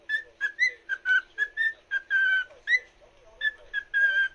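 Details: Cockatiel song aimed at another cockatiel: about a dozen bright whistled notes, a couple of them drawn out, with small rising slides in a lively uneven rhythm.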